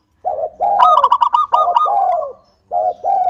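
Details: Local zebra dove, a frequent singer, singing to prompt other doves: low mellow coos lead into a rapid string of bright staccato notes over a rolling purr, then two more low coos after a pause.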